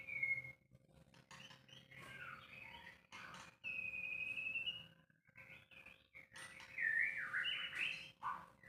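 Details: White-rumped shama singing, recorded unedited: varied clear whistled phrases, some sliding and warbled, in bursts separated by short gaps, over a constant faint electrical hum.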